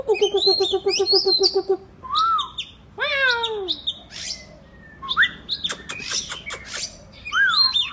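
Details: Kacer, the oriental magpie-robin, singing 'gacor' style: it opens with a fast, even trill of repeated notes under high chirps, then loud swooping whistles, a falling harmonic-rich phrase, clicks and more varied whistled notes.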